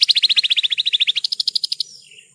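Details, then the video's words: Horsfield's bush lark song used as a tutor recording for cage birds: a fast, even trill of about twenty sharp chirping notes, slightly falling then rising higher, ending in a faint buzzy tail. "Masteran Burung Branjangan 1 Jam Non Stop"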